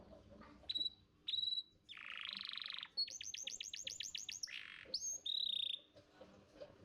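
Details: Canary master song from a contest champion, played to coax young canaries into singing: clear level whistles, a buzzy rolling burst, then a rapid run of high bright notes and further pure whistles.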